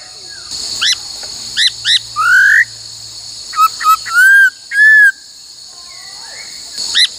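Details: Female laughingthrush singing to stimulate males in training, a mix of short sharp high notes, a rising slurred whistle and several level whistled phrases, with a low faint drone and persistent high hum.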